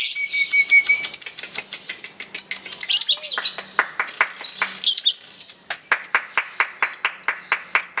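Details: Contest lovebird in long chatter, a dense jumble of high, scratchy notes that settles into sharp, evenly spaced chips, with a brief thin whistle at the start.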